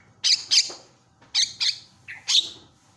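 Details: ['Harsh rasping squawks from a Javan myna, delivered in three pairs about a second apart, loud calling intended to make other mynas respond.']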